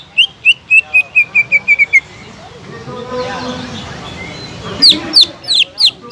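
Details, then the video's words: Lure song of a greater green leafbird, meant to rouse leafbirds that stopped singing: a rapid even series of short, slightly falling whistles, a quieter noisy stretch with faint chatter, then several louder slurred whistles at the end. "PANCINGAN CUCAK IJO GACOR"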